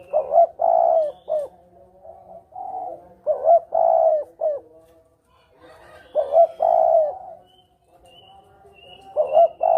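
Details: Lure call of a spotted dove for bird hunting, double-kuk style: clear, low, hollow coo phrases of three or four notes, repeated about every three seconds with quiet pauses between, clean recording with no other sounds.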